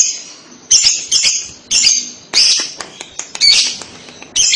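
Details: Lovebird giving the 'kekek' chatter of a 'labet' bird, used to prompt young 'paud' lovebirds to answer: bursts of shrill, harsh squeaks and chirps, about one burst a second with short gaps between, plus some wing flutter.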